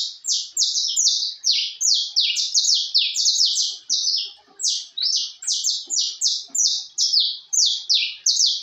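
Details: Canário de porte singing strongly, a steady stream of loud buzzy rattling phrases repeated about twice a second, each dropping slightly in pitch, with no other sounds.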